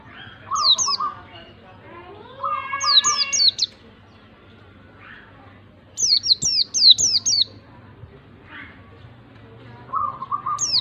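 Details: White-eye song used to provoke a reluctant bird into singing: bursts of quick, high, sharply slurred chirps in clusters of three to five notes, separated by pauses of a few seconds, with lower warbled phrases and faint background noise.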